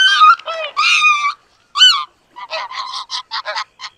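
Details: Greater white-fronted goose giving bursts of harmonic yelping honks, a few long ones first, then a quick run of shorter clipped notes after a brief pause.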